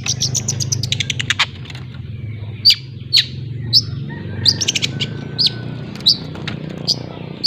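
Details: Long-tailed shrike from Lampung practising ngriwik song as a young learner: a quick, dense burst of high notes gives way to thin downslurred whistles spaced about half a second apart.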